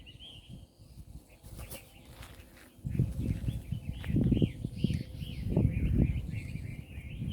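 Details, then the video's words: Birds in nature at Hac Sa, Macau, give repeated high, curved chirping notes several times a second. Heavy low thumping and rumbling from walking or handling competes with them, and a voice is faintly present. "sounds of bird"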